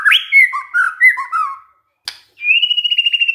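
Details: Lure song of a white-rumped shama meant to set other shamas singing: rich warbled whistles sliding up and down, a short pause and click, then a rapid steady trill of repeated whistled notes.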